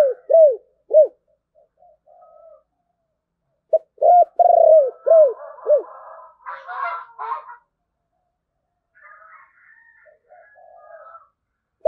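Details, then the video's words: Spotted dove with a thổ bầu voice: low, hollow coos in quick groups, a pause, then a fuller phrase of rolling coos, followed by some scratchy, clattering background sounds and faint murmurs. "cu gáy giọng thổ bầu, nghe cũng hay phết"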